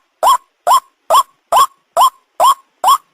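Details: Lure call of the white-breasted waterhen, locally ruak ruak: seven strong, harsh, rising notes spaced evenly at just over two per second, each short and nasal, with nothing else audible.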